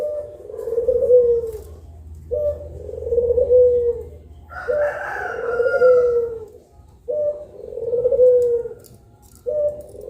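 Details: Puter pelung doves, two birds, heard at midday: a series of deep, sustained, gently descending coos spaced about two seconds apart, with a brief rooster-like crow overlapping in the middle.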